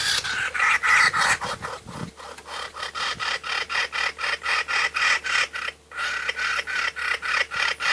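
Kookaburra giving a harsh, raspy chatter of rapid, even pulses, nearly four a second, running steadily throughout.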